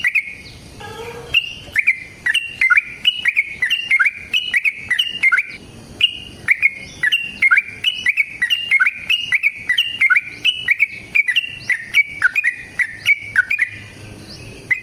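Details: Yellow-vented bulbul pouring out a long trilling song used to trigger replies from caged birds, suited as a dawn master song: about fifteen seconds of rapid, evenly paced bubbly whistles, slurred up and down, punctuated by sharp clicks.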